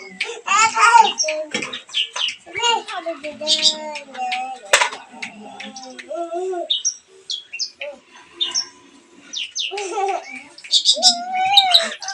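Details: Lure recording of long-tailed shrike song for stimulating a mute shrike to sing; varied chattering phrases, clipped chirps and short slurred whistles come in uneven bursts separated by brief pauses.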